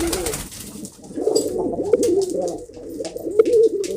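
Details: Kept pigeons produce a continuous low, bubbling coo that rises in strength toward the end, with light taps in the background.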